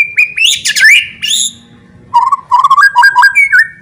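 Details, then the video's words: A white-rumped shama's loud song used to provoke other shamas into fighting: strong ringing whistles and a rich warbled burst, a pause, then a quick series of stepped, rising whistled notes. "AWAS BIKIN EMOSI,, KICAUAN NYA LANTANG,,PASTI LANGSUNG FIGHTER BONGKAR ISIAN"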